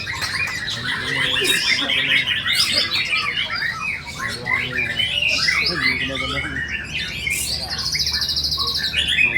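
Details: Murai batu, or white-rumped shama, bowing while delivering its piercing song full of isian mimicked fill-ins: fast tumbling whistled notes, rising and falling slurs and a buzzy rattle near the end, continuous throughout.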